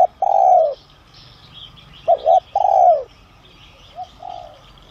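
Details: Spotted dove of the son voice style, calling to lure wild doves: a long falling coo, then a phrase of two short hollow coos and a long descending note, with fragments of a third. Faint high chirps from small birds behind.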